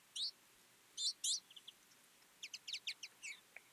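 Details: Carduelis flavirostris feeding as a flock in winter: quick high chirps in scattered clusters, then a rapid run of twittering notes near the end.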